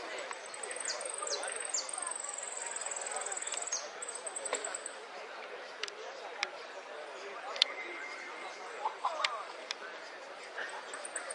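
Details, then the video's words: Saffron finch (Sicalis flaveola) song in the golpes, pitadas and prio style: a very high, fast trill broken by sharp down-slurred notes, then scattered clicks. A steady broadband murmur of background noise runs throughout. "JILGUERO AUDIO"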